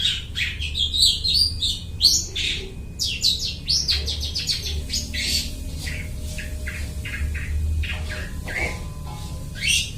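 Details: Long-tailed shrike copying the songs of other birds, used to lure them; varied scratchy and whistled notes, fast at first and then sparser, with a low steady hum.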